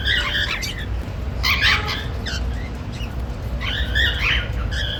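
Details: Happy chatter from a male and female normal grey cockatiel, heard as three separate bursts of scratchy, warbling chirps with short pauses between them, over a steady low rumble of background noise.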